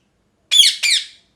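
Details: A parrot gives a loud double scream: two rasping, downward-slurring squawks about a third of a second apart, strong and clear against silence.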